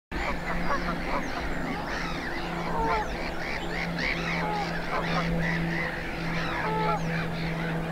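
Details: Greylag geese with young at Cotswold Water Park, Gloucestershire, on 4 May 2022: a flock gives dense, overlapping nasal honks and cackles throughout, with a steady low hum running underneath.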